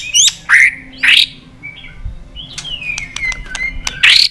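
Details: White-rumped shama in competition singing, tail flicking and perch bobbing, given to fire up a rival. Three harsh rasping bursts begin, then a quiet, long falling whistle broken by sharp ticks, and another harsh burst.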